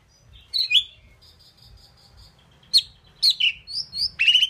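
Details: Indian pied myna, a talking bird said to imitate words, gives a run of short level whistled notes, then sharp squeaky chirps and a final rising harsh squawk against near silence.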